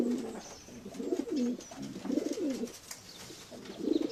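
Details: Several domestic pigeons give low, soft, rolling coos that swell and fade in overlapping arcs, with a brief louder burst near the end, against a faint hiss.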